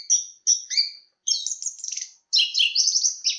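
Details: Chestnut-capped thrush (Zoothera interpres) delivering quick bursts of high, jumbled twittering notes, short stuttered chirps followed by dense warbled runs, all in a high register with little background noise.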